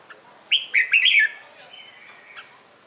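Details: Competition-style morning song of a Red-whiskered bulbul used for training: one cheerful phrase of four or five quick, looping whistled notes, followed by a faint drawn-out whistle and a soft note.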